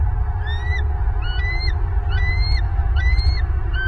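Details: Wild bald eagle at its nest in Southwest Florida, 26 November 2022, as the male brings prey to his mate, caught by a nest camera: five thin, rising, whistled notes, each about a second apart, over a steady low hum.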